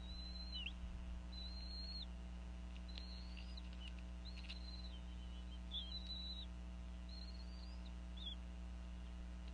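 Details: Female bald eagle in a Northeast Florida nest, around 4:40 pm in 2014, vocalizing over a fish as the pair feed their eaglets: thin, high whistled notes, some rising and falling, repeated in a loose series over a steady low hum.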